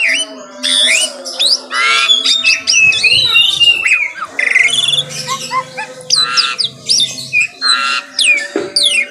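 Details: Asian pied starling sings in the morning, loud harsh chatters interleaved with whistled sweeps and sharp chirps in rapid, uneven bursts.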